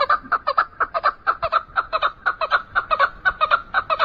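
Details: Chukar partridge of the Iranian type, known as kınalı keklik, giving a steady run of short clucking notes about twice a second, each a sharp chuk with bright overtones, repeated throughout without a break.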